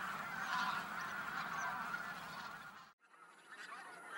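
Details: Flock of geese heading from the fields to the lake to rest by day, a dense continuous chorus of overlapping honking calls that breaks off abruptly and resumes more quietly with a faint steady whine.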